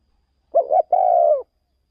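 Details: Single clean phrase from a spotted dove decoy taken out for bird luring in another province: a brisk two-part coo followed by a longer level coo that drops at the end.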